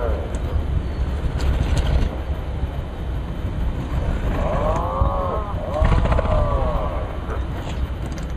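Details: A group of Atlantic puffins, seabirds of the northern hemisphere, give two bursts of low, moaning calls that rise and fall, over a heavy, steady rumble of wind or surf.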